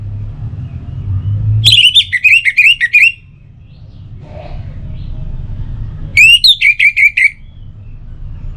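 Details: Orange-headed thrush song as a morning and evening lure: two warbling phrases of quick slurred whistles, a descending run of notes each time, separated by a pause with a faint low sound.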